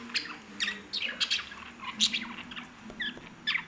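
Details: Lovebirds kept as pets chattering with quick shrill chirps and squeaks, several brief high notes repeated in uneven clusters against a low steady background hum.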